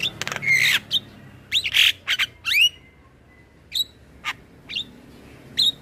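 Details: Filler song of a male black-winged starling for training young birds: a harsh, scratchy opening followed by spaced, clear whistled notes rising then dropping, each separated by half a second or more of quiet.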